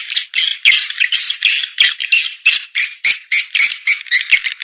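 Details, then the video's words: Swiftlet calls: harsh, buzzy squawking chirps repeated rapidly, about three per second, in an unbroken run with no other sounds. "Sp Burung Walet Dewa Amoy Super Raja Sedot"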